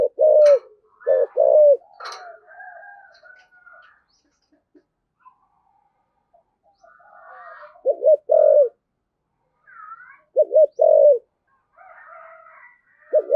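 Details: Spotted dove singing in the 'thổ sấm' voice style, with vigorous cooing. Deep coo phrases come in bursts, each a rapid double note then a drawn-out coo. Faint thin whistles from other birds sound between the phrases.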